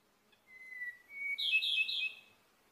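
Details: Ryukyu robin, endemic to Okinawa, Japan, and endangered: one long, level, pure whistle, then a higher, rich, rapidly warbled rattle lasting under a second, in a quiet setting.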